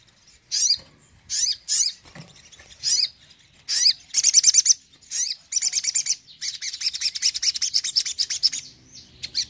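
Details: Crimson sunbird singing a lively tembakan, used to stir up flat birds: separate sharp, swooping high chirps give way to fast rattling trills running almost continuously toward the end.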